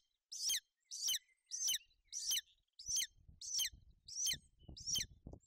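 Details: At a Bucovina nest in wet, inclement weather on 28 May 2021, a female golden eagle broods her chick while calls ring out. Seven sharp, high-pitched chirps come at a steady pace of about one every 0.7 seconds, with soft rustling.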